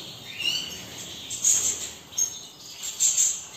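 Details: A European goldfinch of the major type from a selective breeding aviary sings high, tinkling, twittering bursts roughly every second and a half, with quieter chatter in between over a faint hiss.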